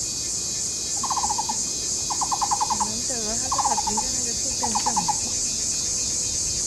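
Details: Taiwan barbet at a nature ecology park in Taishan, Taipei County, Taiwan, a pair duetting in courtship while excavating a tree-hole nest; short rapid bursts of hollow knocking notes like a wooden fish, four phrases, with a lower warbling bird beneath and steady insect hiss.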